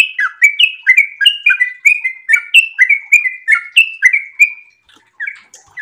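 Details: Sooty-headed bulbul in breeding condition, singing a long, fast ropel-style song used to prompt and train other birds: bubbly whistled phrases that rise and fall, repeated rapidly in a continuous run, then a few scattered notes.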